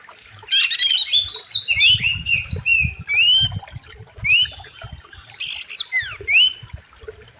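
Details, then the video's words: Oriental magpie-robin (kacer) singing master song for training birds in a wild river setting: rapid stuttered trill opening into liquid descending and rising whistles, later a harsh burst and sweeping notes, with low rumbling underneath. "KACER SADIS & KERAS, Ultimate Wild River | Masteran Kacer Gacor Tajam Full Isian"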